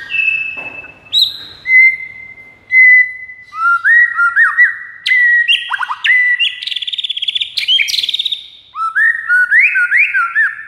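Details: Rival-luring song of a white-rumped shama: varied loud whistled phrases, long level notes, buzzy rapid trills and clusters of rising slurs, delivered almost without a break.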